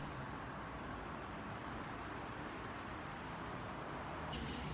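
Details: Steady roadside traffic rumble fills the recording, with one brief click near the end and no animal calls.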